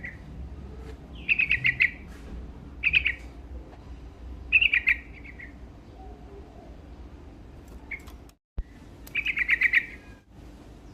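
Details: Sooty-headed bulbul singing actively to provoke rivals: short bright chattering phrases of quick notes, each about half a second, come every second or two with quiet gaps between and a brief dropout near the end.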